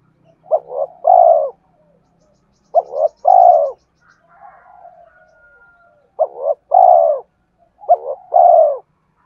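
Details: Spotted dove song for luring wild birds: four phrases of quick double coos ending in a long descending note, with a quiet wavering whistle in the middle gap.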